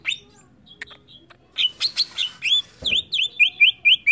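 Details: Greater green leafbird singing agitatedly: faint ticks give way to loud whistled notes, then a steady series of bright, hooked upslurred whistles repeated about twice a second.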